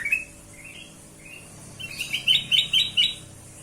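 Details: Kutilang emas bulbul, used as a lure song: a few scattered rising whistles, then a run of four or five bright, clipped upslurred notes over faint background hum.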